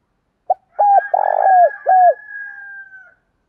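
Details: Coo phrase of spotted doves, cocks and hens, meant to excite a fresh cage bird: a clipped opening note, then three deep coos, the middle one long and burred, with a faint drawn-out whistle trailing behind.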